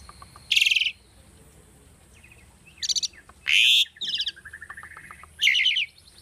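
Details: Tame captive Asian starling singing, used as a training song for birds: bright harsh chattering bursts and a broad squeal mixed with short buzzy notes and a faint run of rapid ticking, separated by pauses.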